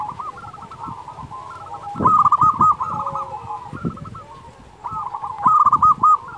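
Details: Zebra doves in chorus, a recording used to make quiet doves sing: constant overlapping trills of quick cooing notes, with two louder, clearer bursts from the nearest bird.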